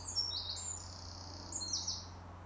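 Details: Eurasian wren, one of two rival birds singing in turns: short, very high, shrill notes and a brief run of sharp ticks, with a low steady hum underneath.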